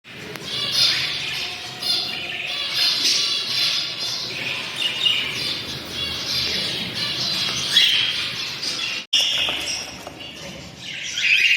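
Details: A group of budgerigar mothers with their chicks chatter with busy, warbling chirps and scratchy squawks, many birds calling at once.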